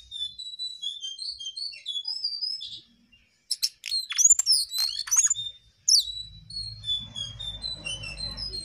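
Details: Energetic gacor singing from a jongkangan: thin, high sliding whistles, a short pause, then a burst of sharp clicking chirps and twittering, before whistling resumes over a low rumble.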